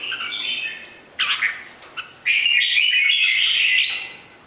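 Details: Bình Định red-whiskered bulbul, three seasons old, singing while showing off its wings like a butterfly. Short whistles and a sharp downslurred note lead into a long, steady, bubbling warble.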